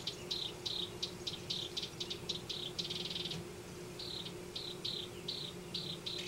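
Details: At a nest in a Denver yard, house wrens alternate quick scratchy rattles with short downward-sliding whistles, one longer buzzy burst in the middle and a brief pause before the notes resume. Faint steady hum underneath.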